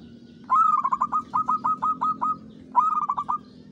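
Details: Local zebra dove used as a lure to attract wild birds, singing in the Mataram pakem rhythm style: a rising opening note followed by a rapid string of short staccato coos, then a second phrase repeating the pattern, over a low background hum.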